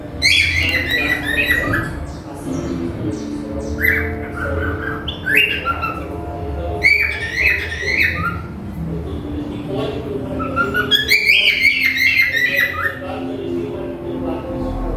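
A cockatiel sings a run of rising, warbled whistles mixed with harsh chattering notes.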